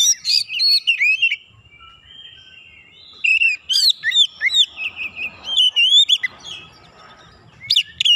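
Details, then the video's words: White-rumped shama heated up by a rival, singing loud slurred whistles and rapid chattering notes in bursts separated by quiet gaps of one to two seconds, ending with a final sharp phrase. "KACER LAWAN LANGSUNG PANAS NAIK EMOSI BONGKAR ISIAN SEKALI PANCING"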